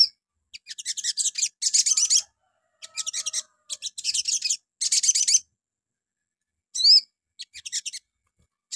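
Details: Sogon (little spiderhunter) morning lure song to get other birds singing: grouped bursts of rapid, scratchy high chatter with short silences, followed by a loud bent whistle and a few soft chips.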